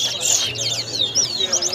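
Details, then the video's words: A chestnut-bellied seed-finch (towa towa) sings at a bird-singing competition at Lusignan, Guyana, pouring out a fast, high, sweet warble of slurred whistles and twitters, with faint voices and a low hum behind. "TOWA TOWA BIRD SINGING"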